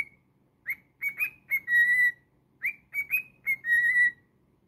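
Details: Whistled song of a pet cockatiel: a lone note, then two phrases of quick rising chirps ending in a long, bright, steady whistle. Little else is heard.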